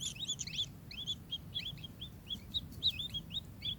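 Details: Kingfisher calling in short bursts of arched, high chirps, loosely grouped in twos and threes, with a persistent low hum behind.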